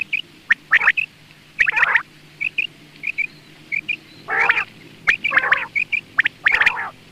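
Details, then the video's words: A quail heard in the morning gives short, high clipped notes in pairs, broken by louder, harsh, broadband bursts at irregular intervals. "Quail sounds , batair ki subbha keliye awaz,batair ki awaz ,morning awaz"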